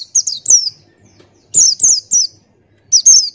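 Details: Buxtoni white-eye singing ngalas-style master song: clusters of sharp, high, falling whistled notes, two or three per burst, with brief silent gaps between bursts.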